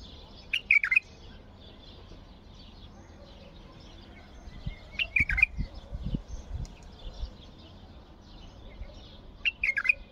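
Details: Bulbul delivering a strong song to rouse other bulbuls to sing. Three short phrases of whistled notes, about four seconds apart, over low thumping background noise.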